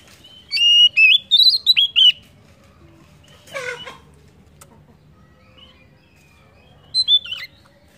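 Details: Oriental magpie-robin singing, used as a lure to set other birds singing: a rapid run of bright whistled and slurred notes, then a short harsh rasping note and a brief whistled flourish near the end.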